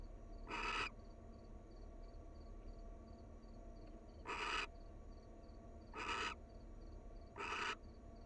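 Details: At the nest, a wild barn owl pair showing affection; broad rasping hissed screeches come in a spaced series, four bursts across eight seconds, with a constant low hum and faint ticking behind.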